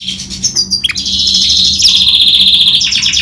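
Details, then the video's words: Goldfinch and canary hybrid singing: a few sharp high chirps and a downward sweep, then a long fast rolling trill held steady at a high pitch, closing in rapid chattering notes. "Гибрид щегла с канарейкой/ سایره کنری/ hybrid of goldfinch and canary"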